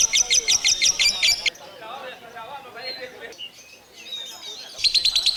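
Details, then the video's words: A lovebird's ngekek singing: a string of loud, rapid high chirps, a quieter gap with soft twittering, then the fast chirping starts again. "Lovebird singing and chirping sound | Lovebird ngekek ngekek panjang"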